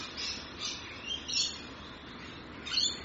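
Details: Rainbow lorikeets in Australia: harsh, scratchy screeches in short bursts every half second to a second, over soft, constant flock chatter.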